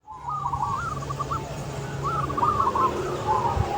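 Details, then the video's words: Local zebra dove with a big voice singing outdoors in the open: two warbled cooing phrases of rolling, bubbling notes, each ending in a short trill, over a steady low hum. "Perkutut Lokal Suara Besar Manggung di Alam Terbuka"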